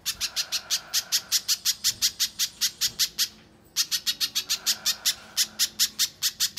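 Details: {'caption': 'Little spiderhunter singing nonstop as training material for competition birds: quick, sharp, high chips in a steady rhythm that stops for about half a second midway, then resumes at the same pace.'}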